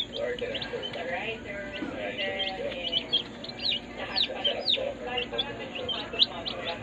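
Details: A brood of day-old chicks in a brooder peeps busily: rapid, piercing whistled notes falling in pitch, many overlapping callers, with soft background talking and hum.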